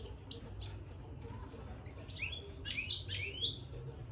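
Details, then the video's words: European goldfinch in a cage, twittering its soft 'batbata' song after being put inside: faint high chips at first, then a lively burst of bright, buzzy, rapidly repeated twittering notes near the end, over a low background hum. "بتبتة الحسون من دخل القفص"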